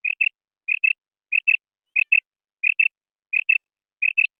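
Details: Female quail giving clear doubled chirps, two quick high notes per phrase, repeated roughly every 0.65 seconds in an even rhythm with no other sounds.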